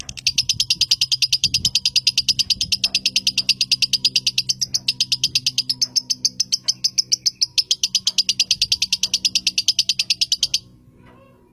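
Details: Captive lovebird from a bird farm, chattering while shaking its head: a fast, rapid-fire series of sharp high notes, about two per second, sustained for ten seconds before stopping, with a low hum beneath.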